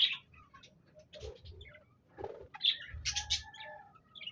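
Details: Budgerigars on 26 January 2024 giving scattered sharp high chirps, short squeaky notes and bits of warble, separated by soft gaps, fairly quiet overall.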